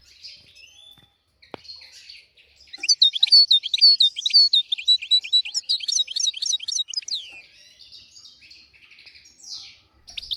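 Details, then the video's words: European goldfinch tutor song meant to teach young goldfinches and canaries. After a quiet start, a lively, fairly regular run of high twittering notes repeats about twice a second, then fades into soft chatter and a final sweep. "تغريد طائر الحسون حفاضة لتعليم طيور الحسون والكناري بدون أخطاء"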